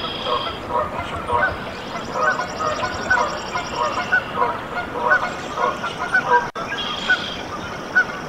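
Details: In a nest in Decorah, Iowa, USA, on 14 April 2024, freshly hatched Canada goose goslings peep in quick, overlapping bursts; a high trill from another bird sounds early on, and a brief dropout occurs partway.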